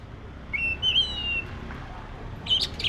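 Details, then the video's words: Black-breasted Oriental magpie-robin giving a long, clear, level whistle that wavers slightly, then a short burst of sharp high notes at the end, low hum beneath. "SUARA BURUNG KACER (DADA HITAM)"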